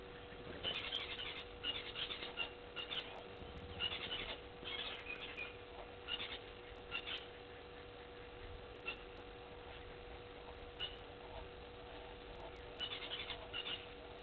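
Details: Helmeted guineafowl at Gowrie dam waterhole, Djuma Game Reserve, Sabi Sand Wildtuin, South Africa, late afternoon on 29 June 2021, with impalas nearby; harsh, clattering bursts come in irregular runs of several notes over a steady low hum.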